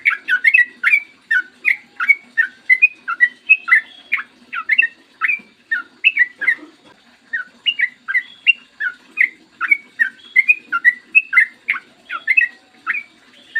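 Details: Long rapid 'ropel' singing by a yellow-vented bulbul, recorded in the morning as a prompt for other bulbuls: sustained chattering, gurgled whistle notes in steady rhythmic bursts, nearly without a break, over a low hum.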